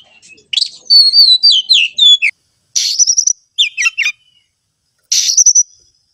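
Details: Oriental magpie-robin singing in short bursts: a sweet whistled warble of slurred notes, then buzzy high phrases and a quick descending jumble, separated by brief silences.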